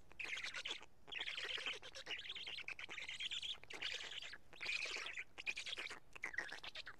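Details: Black stork nest in Karula, 31 May 2017 around 12:47, adult delivering two big fish that the chicks break up: repeated scratchy, wheezing screeches in close bursts, some slightly tonal, with brief breaks.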